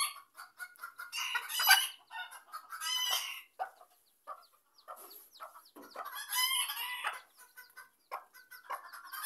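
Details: A Sebright hen protecting her chicks from a dog gives harsh, squawking bursts and rapid clucks in repeated outbursts about a second long, with softer clucking between them.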